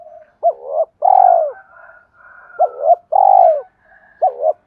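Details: Spotted dove coo used as a lure for decoy-bird training: three evenly spaced phrases, each a double-humped coo and then a longer full coo that falls away, with soft faint notes between them.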